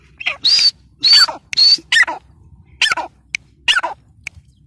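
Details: Grey francolin, said to be female, uttering irregular harsh squawks. A few loud rasping notes with a ringing edge are broken by short gaps, then followed by scattered thinner clicks and chips.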